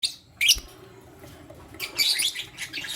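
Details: Lutino lovebirds, one male with two females, in the morning; a harsh, high chirp burst near the start, then a cluster of scratchy, bright chirps later, with quiet gaps between.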